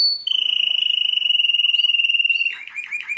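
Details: A canary, described as a world champion, sustains a rapid, even trill for over two seconds, then breaks into choppy lower notes.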